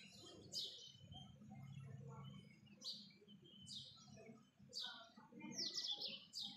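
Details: Blue rock thrush heard in the morning of 8 February 2021 near Urun Islampur, Walwa, Sangli district, Maharashtra; repeated high chirped phrases every second or so, with soft lower notes and low rumble beneath.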